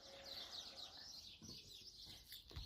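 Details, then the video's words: A flock of sparrows chatters from a rose bush next door on a spring morning in France, with soft, high, overlapping chirps and brief low background noise. "দেখেন কি সুন্দর করে আজকে সকালবেলায় চড়ুই পাখিগুলো ডাকছে।"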